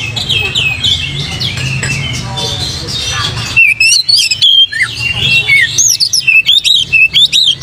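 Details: Oriental magpie-robin singing, used as a lure to provoke singing. A muffled, noisy stretch gives way midway to bright, fast whistled notes and clipped chirps repeated in tight bursts.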